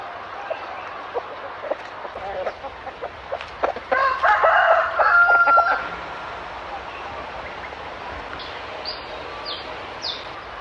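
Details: Free-range chickens outdoors give repeated short clucks, building into a loud cackling chorus lasting a couple of seconds, followed by quieter clucks and faint high chirps over steady background hiss.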